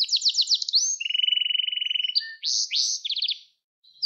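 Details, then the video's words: Canary song used as training for young canaries: quick sweeping notes, a long steady low trill, a short whistle, then rising buzzy phrases and a brief pause. "Kanarya Sesi Ötüş Eğitimi 2021 | Kanarya Ötüşü ve Ötüm Eğitimi"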